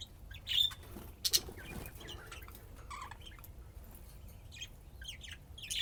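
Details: Budgerigars, called lovebirds locally, playing and chirping, apparently in Austin, Texas: sharp high chirps and squeaky twitters in irregular bursts, with brief rustles and wing flutters between calls.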